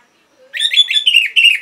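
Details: Orange-headed thrush (anis merah) singing from northern Bali, Singaraja, a recording meant to stimulate caged birds into song: quick run of bright, warbled whistled notes in a continuous chattering phrase.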